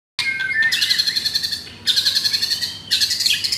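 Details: A captive pied-plumage white-rumped shama, said to have rough song material, sings on a Saturday morning, 10 September: harsh buzzy harmonic phrases repeated in three bursts, each about a second long.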